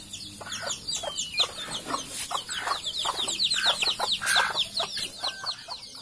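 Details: Captive Sumatran junglefowl by its food and water containers: loud, rapid clucks in irregular runs, accompanied by dense high chirping and twittering of small birds.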